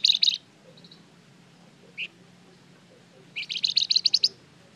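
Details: Flamboyan in lively song, used to make other birds answer: a loud high chirp burst at the start, a faint trill, a single sharp note, then a long accelerating series of about ten ringing, high chirps.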